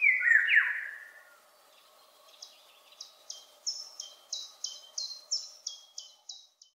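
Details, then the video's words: Eurasian golden oriole singing from high up and far away. A loud, fluty, slurred whistled phrase of under a second opens the recording. It is followed by another bird's quieter run of high, clipped notes repeated about every third of a second. "Иволга. Oriole"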